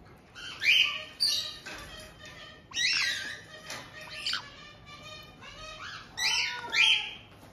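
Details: Resident white-bellied caiques in Tokachi, Hokkaido, June 2023, greeting a new chick of just over two months: harsh, screechy squawks mixed with buzzier rasping notes, coming in uneven clusters.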